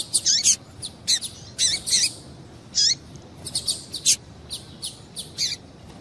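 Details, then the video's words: Female Double-collared seedeater calling to stimulate a male: sharp, very high chips with short downward-slurred tails, given in irregular clusters of two or three, with brief pauses between groups, against quiet background. "Piado de Fêmea de Coleiro Para Esquentar Coleiro"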